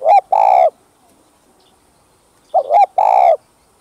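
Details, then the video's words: Loud, rich spotted dove coos, a call style recorded to make kept doves sing; two phrases, each a stuttering pair of notes then a firm, buzzy-edged prolonged coo, separated by quiet. "Tiếng Cu Gáy Giọng Hấp Dẫn ĐỦ BÀI [GÁY GỌI,THÚC,GÙ ] Kích Bổi Nhanh Nổi"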